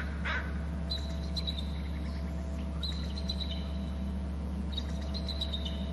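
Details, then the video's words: Bald eagle at a Hornby Island nest and territory, flying in from inland to an upper left branch and trilling on landing: thin, high chittering notes in three short bursts over a steady low hum and faint rustling. "eagle from inland left to upper left branch and trills on landing"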